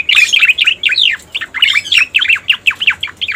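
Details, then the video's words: Striated grassbird lure call for attracting birds: rapid, tumbling string of rising and falling whistles and short chips, bright and loud throughout. "Suara Pikat Burung Cica Koreng | Masteran Cucak Koreng Full Ampuh"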